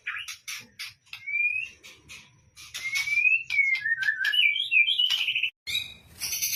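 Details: White-rumped shama song played as a lure to set birds singing: sharp clicks alternating with smooth whistled rising and falling slurs, a quick series of bouncing notes, faint low hum behind.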